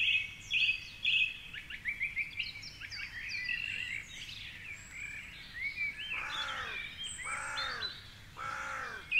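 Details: Song thrush at dawn, 4.45am on a Sunday, by the Curragheen River in Cork City, perched atop a tall tree. A clear note repeated three times opens, followed by jumbled high chirps, then loud arching voices of late-night revellers.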